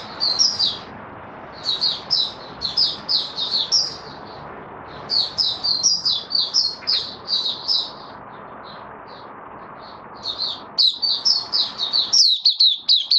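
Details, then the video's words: White-eye recorded 18 May 2022 after finishing deworming and supplements, singing bursts of quick, high, sweet twittering notes, about four a second, with short breaks between phrases and steady background hiss. "Mata Puteh Kitaro buka sing"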